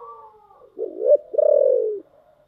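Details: Low cooing phrase from a spotted dove in giọng thổ style: a soft lead-in, a rising clipped coo, then a sustained, wavering coo that drops slightly before fading into a quiet tail.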